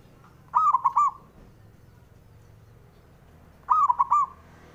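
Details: Zebra dove male, a local perkutut, giving its rival-provoking song twice about three seconds apart, each phrase a quick string of soft rolling coos with a longer opening note, in otherwise quiet surroundings.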